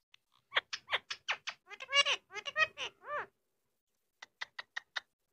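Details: Indian ringneck parakeet kept as a pet, talking in a small room: a fast, chattering string of short harmonic syllables, some rising and falling, followed by silence and five quick sharp notes.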